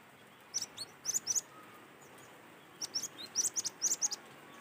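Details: Cinereous tit recorded in the wild, used as a lure to make other tits sing: lively groups of high, sharp two-note and three-note phrases in two long bursts, with soft lower notes mixed in.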